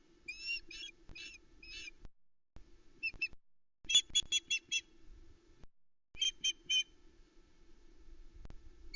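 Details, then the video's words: Female osprey at a nest cam in Arkaig Community Forest, Loch Arkaig, 12 July 2020, alarm calling at an intruder near the nest. Short runs of sharp, high whistled notes come in bursts of three to six, with pauses between, over a steady low hum. "Aila the Loch Arkaig Osprey is reacting to an intruder"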